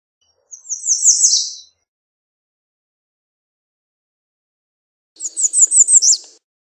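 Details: Two songs from an American redstart, several seconds apart, each a quick series of about six high, thin, sibilant notes closing with a sharply downslurred accent; silence between them.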